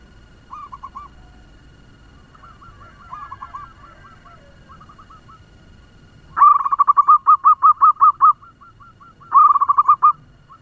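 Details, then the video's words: Local zebra dove used as a lure to stir up other doves, singing fast: faint soft cooing notes first, then loud rapid bursts of about a dozen quick ringing notes, repeated twice. "Perkutut lokal pemikat suara ngebut‼️Bikin perkutut lain ribut"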